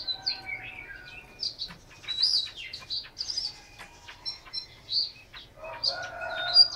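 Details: Caged Chinese hwamei in Hanoi, Vietnam, singing a varied run of clear whistled phrases, high and fluid, with short pauses; a harsher, lower-pitched burst of notes enters near the end.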